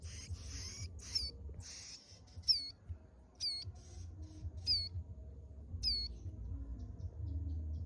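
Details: Mountain prinia, known locally as ciblek gunung, at the end of the season: loud sharp high notes that dip and rise, given singly about once a second after some harsher buzzy bursts, over a low background hum.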